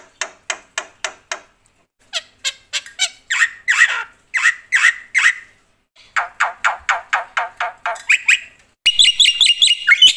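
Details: Black-winged myna giving a loud, chattering song full of fill-in phrases, the kind meant to stir up other mynas. Runs of sharp clipped notes alternate with harsher buzzy phrases, and it ends in a dense, high, rapid burst.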